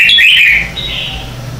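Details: Red-whiskered bulbul morning song recorded as a decoy for training other birds; one short, loud, warbled phrase of bright whistled notes, wavering then gliding down, with a low steady hum underneath.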